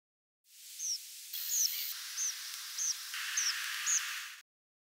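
Tree Pipit night flight calls: six short, buzzy, strongly modulated notes spaced about every half second, with a steady background hiss.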